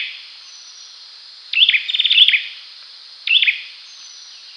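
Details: Olive-backed sunbird in Indonesia, known locally as cinenen jawa: a short burst of rapid high chips and a buzzy trill around 1.5 to 2.5 seconds, then a brief second chip series near 3.3 seconds, over a faint steady background hiss.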